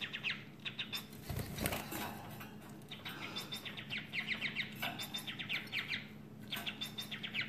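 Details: A male society finch in a cage with a female sings its full courtship song with dance, runs of quick, high twittering notes in bursts of a second or two, with wing flutters, rustling and a faint low hum.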